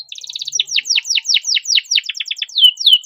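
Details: Owner-raised canary singing a dense, fast song to prompt silent canaries: rapid chipping notes at first, then an even string of descending whistled sweeps repeated several times a second.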